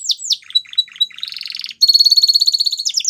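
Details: Song of a Waterslager canary: two sharp falling whistles, a few short piping notes, a rapid trill, then a steady high warbling tour.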